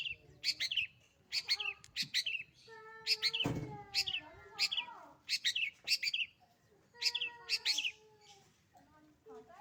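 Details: Captive long-tailed shrike singing energetically, mixing clipped high chirps in pairs and triplets with longer descending whistled notes and a brief rough noise midway.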